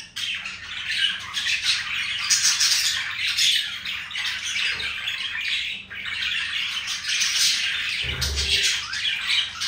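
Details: Two pet budgies showing affection for each other, indoors; dense, continuous high chattering warble with scratchy squawks, rising and falling in loudness with a brief pause near six seconds.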